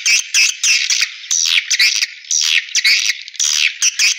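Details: Swiftlet playback meant to attract birds to swiftlet houses: loud, separate squeaky chirps that sweep down in pitch, coming in uneven bursts about once a second.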